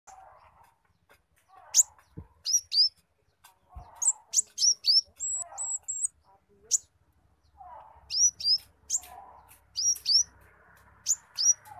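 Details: Brown-throated sunbird, spotted form, singing a song that includes imitated squirrel notes: sharp high chirps and short rising-falling whistles in irregular bursts, with soft lower chattering notes between.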